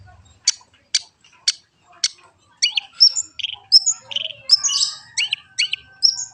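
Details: Long-tailed shrike song, a master recording: sharp repeated ticking notes about every half second, then a rapid varied medley of whistles, buzzy chatters and high squeaky phrases.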